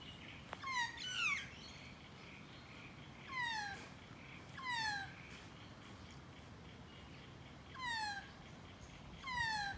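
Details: Close encounter with a magpie: drawn-out, descending mewing notes with rich harmonics, given singly or in quick pairs, about six calls over ten seconds, with quiet background hiss.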